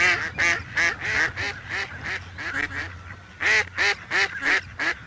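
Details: A village domestic duck (Anas platyrhynchos domesticus) gives a quick run of harsh, nasal quacks, about three a second, pausing briefly midway before a loud final burst.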